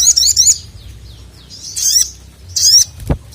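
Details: Sogon calling a male, used as a tutor for reluctant birds; three bursts of sharp, high twittering chirps with rapid downslurred notes, separated by quieter gaps, and a single low thump near the end.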